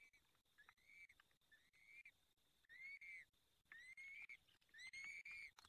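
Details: Peregrine falcon nest during feeding, Barycz Valley, Poland, 23 April 2020 evening. Rising, wavering whistled whines follow one another rapidly through a steady hum and regular electrical ticking.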